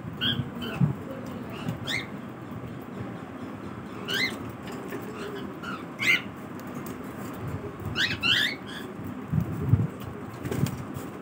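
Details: Cockatiel calling during its morning routine: short, harmonic, upward-sweeping chirps given irregularly every second or two over a steady low background rumble.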